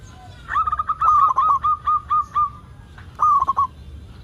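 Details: Local zebra dove cooing strongly, used as a lure to get other zebra doves singing: a run of short, even, ringing notes around a steady pitch, then a quicker cluster of bubbling notes after a pause.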